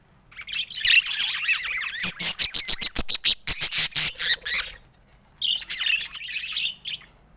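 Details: Colourful pet budgerigars: warbled chatter, then a run of rapid sharp clicking pulses about six per second, ending with a second burst of squeaky warbling.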